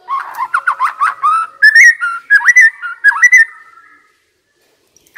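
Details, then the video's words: White-rumped shama decoy bird delivering a lively song of clear, varied whistles, some rising and some dipping, strung together for about four seconds before stopping. "Chòe lửa mồi hót cực hay"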